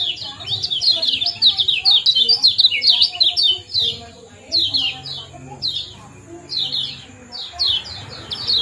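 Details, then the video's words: Kecial kuning giving a 'ciak jos' chirping combination used to bring birds into breeding condition: rapid runs of high, downward-slurred chirps, dense at first, then spaced phrases, with a constant high-pitched whine behind. "Kombinasi ciak jos spesial pancingan kecial kuning"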